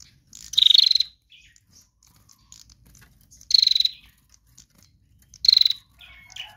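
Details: Female bar-winged prinia used as a lure: three loud, evenly spaced rattling pulsed trills about two and a half seconds apart, with brief thin whistles after the last.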